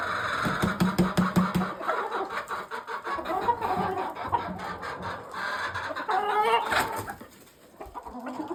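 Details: Barn hens with a brown red cock, their first mature cock in about a month; quick runs of clucking at first, then a busy mix of clucks and a longer cackle near the end over low rumbling.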